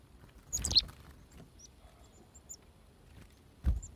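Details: Chickadees at feeders while being hand fed: several brief, very high, thin notes scattered through the clip, with loud rustling thumps near the start and end.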